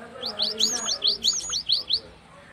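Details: Gelatik batu (cinereous tit) in lively song, used as a lure and tutor recording: a clear series of about nine bright, rising, whistled notes, evenly spaced at roughly four per second, with faint background voices.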